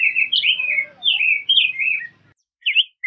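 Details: A rose-breasted grosbeak sings a short run of sweet slurred whistles, then falls quiet before two brief notes resume the phrase.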